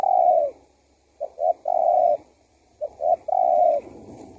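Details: Spotted dove (tekukur), male, calling to bring in wild doves: three mellow coo phrases, two short notes leading into a long steady hoot, spaced about every one and a half seconds.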